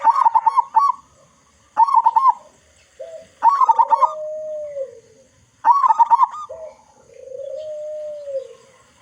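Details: Big-voiced local zebra dove, played to prompt other doves to sing: pulsed, trilling coo phrases repeated about every two seconds, two of them ending in long, smooth, lower drawn-out notes.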